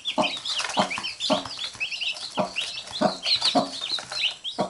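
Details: Mother hen among her chicks, which keep biting her while she picks at them; short, low clucks repeat roughly every half second under a steady layer of thin, high peeping from the chicks.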